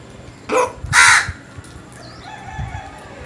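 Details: Morning crow voice, two harsh caws in quick succession, the second louder and longer, followed by quiet background with faint thin bird notes.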